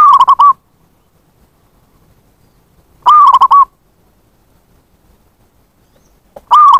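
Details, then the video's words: Lure call of a zebra dove, used to attract wild birds: short bursts of fast, bubbling coos, each phrase repeated roughly every three seconds with quiet gaps between. "Pancingan bunyi + pemanggil perkutut liar"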